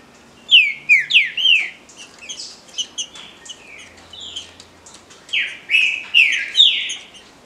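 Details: Captive green-winged saltator singing Paraná-style song: loud, rich whistled phrases of slurred, falling notes in quick bursts, with a pause midway before a final strong phrase.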